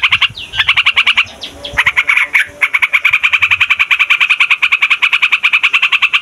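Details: Yellow-vented Bulbul song, loud and continuous, used as a lure to trap wild birds: rapid harsh chattering notes about seven per second, with a brief tangled pause near the start, then a steady unbroken run.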